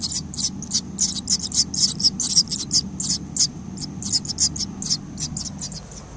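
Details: Swallow chicks in their nest beg with a dense, continuous chorus of thin, high squeaky chirps, several overlapping each second, over a low background hum.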